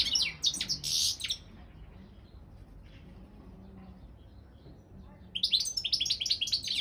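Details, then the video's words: Competition song of a Balkan goldfinch, Carduelis carduelis balcanica, in an internet world championship organised in Serbia: a dense burst of high, chattering notes opens, then near silence, then rapid twittering returns at the end. "Pesma štiglića 002/23 World Championship in Goldfinch Song"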